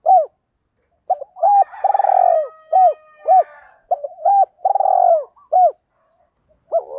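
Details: Spotted dove coos used to stir wild birds to answer: dense, overlapping looping notes and long coos, suggesting more than one caller, over a rougher, harmonic background call in the first half.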